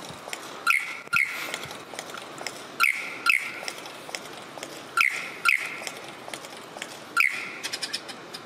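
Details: Superb lyrebird giving loud, sharp, ringing notes in close pairs, repeated about every two seconds. Each note has a quick downward slide and a bright overtone, with soft hissy background between phrases.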